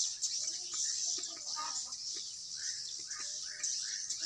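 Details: Swiftlets indoors in Sibolga, Indonesia, their numbers increasing, give a bright continuous high twitter overlaid by quick short chirps and scattered clicks, rising into a livelier run of chirps toward the end.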